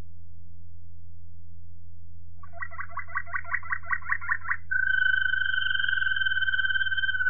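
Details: Waterslager Malinois canary singing, recorded in 2018: a bubbling, water-like rolling trill, then a long, steady, pure whistled tone with a faint pulsing, over a constant low electrical hum.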